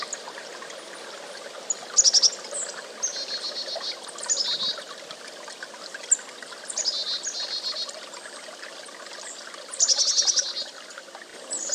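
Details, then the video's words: Chickadee calling repeatedly: high, thin whistled phrases and short buzzy note runs every few seconds, with a few sharp clicks, over a continuous rushing hiss. "1-hour Chickadee Birdsong | The Chickadee Sings"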